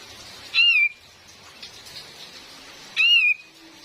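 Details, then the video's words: Female cream-vented bulbul used as a trapping lure: two separate clear whistled notes sliding down and then levelling off, spaced about two and a half seconds apart, over a steady hiss of real rain. "SUARA ASLI KAPAS TEMBAK BETINA || COCOK BUAT PIKAT DAN PANCINGAN"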